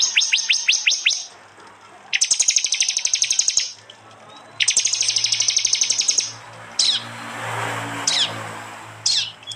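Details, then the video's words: Loud 'tembakan' prinia song from East Java, phone-recorded and combined with jali and mountain prenjak voices. Several swept notes lead into two long bursts of rapid, piercing high ticks, then scattered sharp whistled slurs. "masteran Tembakan prenjak jali keras"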